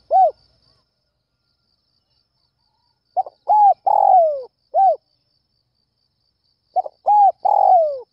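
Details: Spotted dove calling at dawn to lure other doves, repeating its cooing phrase three times with pauses of about two seconds: stuttered opening notes, arched coos, and a long downward-sliding coo, in silence otherwise.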